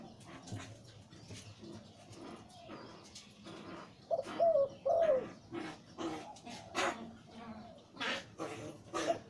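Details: Breeding male zebra dove with a big, deep voice in the lio tan style, giving a pair of low, bubbling coos midway through amid scattered clicks and tapping noises, with quieter cooing before and after.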